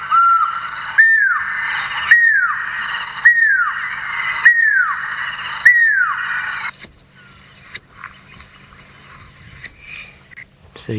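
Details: Pearl-spotted Owlet call played back quietly on a sunrise safari drive at Djuma, Sabi Sand, South Africa, 25 October 2017: six clear, downslurred monotonous whistles about one a second, then sharper, higher notes, over a faint hum.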